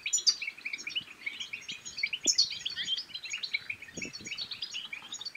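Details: European goldfinch song used to coax quiet goldfinches into song and courtship: fast, tinkling high chattering with several sharp bright accents, and a few low knocks in the background.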